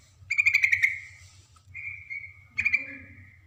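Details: Female yellow-vented bulbul calling to a male. Bright repeated notes in a short trill are followed by a long level whistle, then another trilled burst, over a constant low hum.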